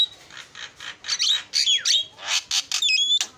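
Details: Javan myna chattering energetically: soft hissing bursts, then loud squawks and a steeply falling whistled slur, ending in clipped rasping notes and a level whistle.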